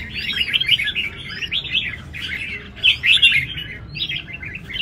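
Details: Red-whiskered bulbul at a big singing-competition arena delivers fast, bubbly whistled phrases with arched upward sweeps, in three clear bursts separated by short quieter gaps, over a faint low hum.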